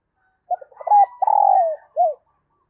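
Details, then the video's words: Female dove calling to stimulate males: a few short soft coos lead into a long throbbing coo that slides downward, then one brief falling coo, low and mellow, with no other sounds. "Tiếng chim Cu Mái Kích Trống Hiệu Quả"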